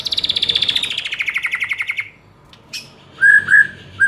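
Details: ['Song of a white-rumped shama, played as training audio to trigger a fighting response: a fast descending pulsed trill lasting two seconds, a pause, then clear short whistles.']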